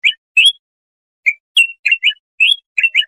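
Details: Singing bulbul, played to tutor young goldfinches or hybrids: a few loud, clear chirped notes, some paired, some with a quick upward flick, spaced irregularly over three seconds against silence.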